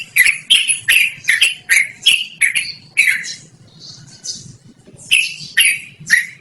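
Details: Loud, melodious yellow-vented bulbul song for luring or bird training: quick bubbly, gurgling phrases repeated rapidly, broken by a short quiet pause, then resuming.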